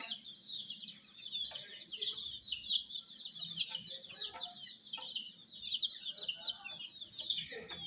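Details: Many young chickens peep continuously near a toy jeep, shrill overlapping chirps forming a dense, wavering high band, with occasional soft knocks and rustles.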